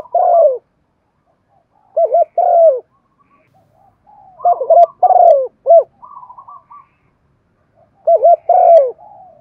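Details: Spotted dove calling coo in Thổ voice, intended to provoke birds: four phrases of rapid double notes plus a sustained falling coo, one with an extra short coo, interspersed with soft fluttery higher notes.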